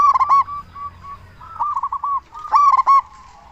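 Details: Local zebra dove calling strongly to lure other zebra doves into answering: a loud stuttered coo burst, a few spaced single coos, a quick rolling series, then another ringing burst.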